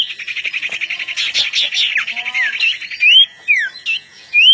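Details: Long-tailed shrike singing before a contest, opening with a fast pulsing trill and scratchy notes, then breaking into separate loud whistles that sweep up and down.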